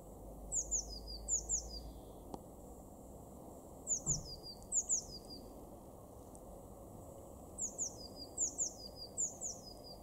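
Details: Eurasian blue tit in a garden in Weener, East Frisia, in Germany's far northwest, April 2021: thin, very high notes followed by a quick descending trill, the phrase repeated about every three and a half seconds over low background rumble.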